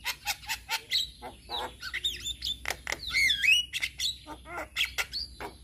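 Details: Male Javan myna, singing as a model for other mynas to learn. Harsh clicks and chatter mix with slurred whistles and a wavering, warbled phrase in the middle.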